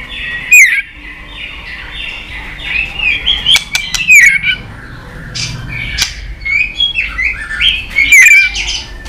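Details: White-rumped shama, agitated and tail-flicking, in competitive singing: scattered clear whistled phrases sliding around mid-high pitch, separated by quiet gaps, with a few sharp clicks and faint background hum.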